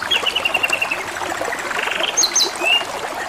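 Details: Canary singing over steady trickling water: a fast run of repeated high chips, then a softer buzzy stretch and a few bright rising whistles near the end.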